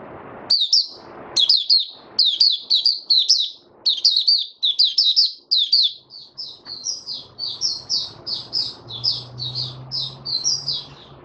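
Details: Male white-eye settling into its opening song, dated 08012022: a steady run of rapid, high, sweet twittering phrases, spaced closely and repeated more than a dozen times, with a low background hum later.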